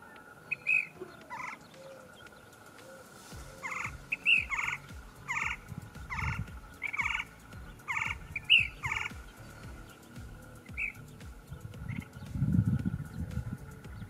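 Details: Ash-throated flycatcher in the Western United States, in desert and dry juniper canyon habitat: a run of short, slightly burry notes repeated roughly every half second, over a steady faint hum and a low rumbling background.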